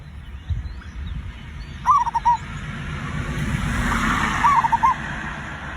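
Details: Two short trilled coo phrases from a zebra dove, a lure song meant to set other birds singing fast, separated by about two and a half seconds, half-buried in a broad background rumble.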